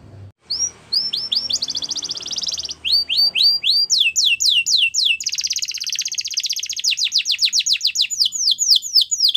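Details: Belgian canary singing, used for training young canaries: fast rolling trills and repeated rising-falling whistled notes at high pitch, phrases shifting in speed, some notes repeated about four per second, with faint low background hum at the start.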